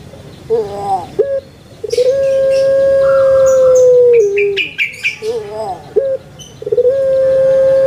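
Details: Captive Barbary dove of the puter pelung type from Java, Indonesia, kept as a songbird. Short bubbling notes are followed by a long, loud, steady hooted coo held about two seconds, which dips at the end. The coo repeats, with faint chirps in between.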